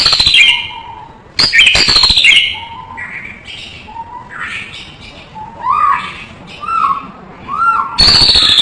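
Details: White-rumped shama tutor song mixing low clear whistles, rising slurred notes and sudden loud rasping bursts, with varied phrases separated by short gaps.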